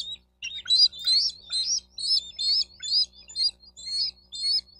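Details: Bald eagle at a nest in Miami-Dade County, Florida, recorded by a nest camera on 4 June 2023 around 12:35; a fast run of high, thin chirps and squeals, roughly two per second, with faint low hum beneath.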